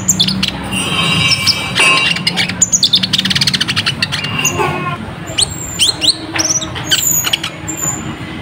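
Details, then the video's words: Ruby-cheeked sunbird in full song, used as a tutor recording for training cage birds: dense high, thin chirps and rapid sharp twitters, with short buzzy trills and quick downslurred notes; a steady low hum underneath. "Masteran Rapet Burung Konin Gacor"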